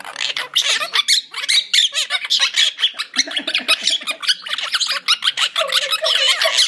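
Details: Harsh, buzzy chattering from a pair of monk parakeets in a cage indoors: quick repeated squawks with squeaky edges run almost without pause.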